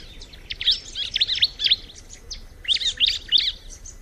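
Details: Bar-winged prinia producing two phrases of clipped, high-pitched chirps, each around a second long, separated by a short quiet gap.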